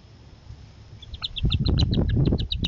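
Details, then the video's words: Young Northern harriers, grown and growing independent, at dinner time as their mother drops a meal: rapid high repeated squealing notes building up quickly, mixed with loud low thumping and rustling. "Sky Dancers: A Northern Harrier Family Adventure: Dinner Time"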